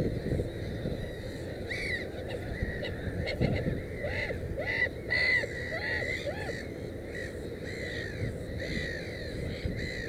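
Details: Black-headed gull at a nest with three chicks; harsh, harmonic cries repeat in bursts through the middle seconds, with lower, softer arching notes beneath and a steady rumble of background noise.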